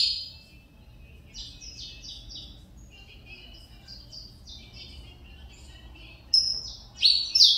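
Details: Saffron finch (canário mineirinho) resuming song after moult, with series of soft, quickly repeated falling chirps, then loud, strident high notes near the end.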